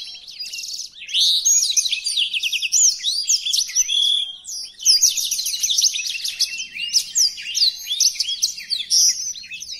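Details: {'caption': 'Black-throated canary (blackthroat) song used for tutoring other caged birds: a long, fast, high twittering stream of rapid trills, sweeping whistles and buzzy notes that runs almost without pause, with no other sounds.'}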